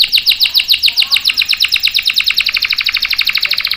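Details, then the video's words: Energetic canary singing used as a master song for young and stalled canaries: a sustained high trill of sharp, evenly spaced chirps, about eight notes a second, growing slightly faster toward the end. "SUARA KENARI GACOR ampuh buat pancingan dan masteran kenari paud dan macet | CANARY SINGING"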